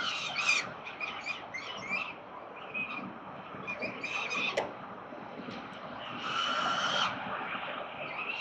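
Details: Peregrine falcons at the 367 Collins nest, Melbourne, Australia, 13 November 2022, give a quick series of shrill, ragged calls, then a sustained harmonic wail near the end, with a sharp click and traffic rumble beneath.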